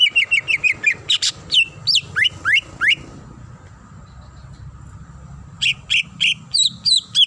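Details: Female greater green leafbird calling the male while in breeding condition: rapid repeated chirps, then rising and falling whistled slurs, a pause of about two seconds, then a fresh burst of high varied notes, with a low hum beneath.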